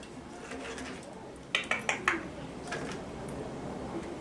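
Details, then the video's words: Talking grey parrot indoors mimics a ringing telephone with four quick, bright electronic-sounding pulses in under a second, over a quiet indoor hum. "sprechender Graupapagei: Telefon klingelt"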